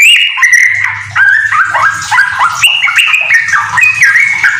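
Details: Home-kept yellow-vented bulbul singing rapid ropel song containing magpie-robin phrases: repeated descending whistled figures and quick warbles, backed by a continuous low hum.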